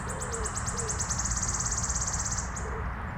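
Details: Wood warbler (Phylloscopus sibilatrix) singing in Minsk, Belarus, in April 2025: very high, thin ticking notes speed up into a dry, shivering trill lasting about two seconds, over a low background rumble.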